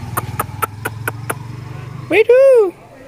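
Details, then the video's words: Pet talking parrot imitating a cat's meow: six evenly spaced sharp clicks over a low rumble, then a drawn-out, nasal, rising-and-falling meow-like wail. "Kotha bola Tia Pakhi telking parrot"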